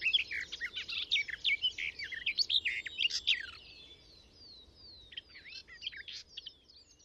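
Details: A garden warbler delivers a loud, rapid warbling phrase for about three seconds from within a hedgerow, then quieter, thinner twitters follow. Recorded using a Sound Devices MixPre 6 II and Telinga parabola.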